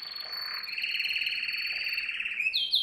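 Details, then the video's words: Canary singing for song training of young birds: a long steady high whistle over a rapid rolling trill, ending in quick sharp upswept notes. "Most powerful song for training Canary"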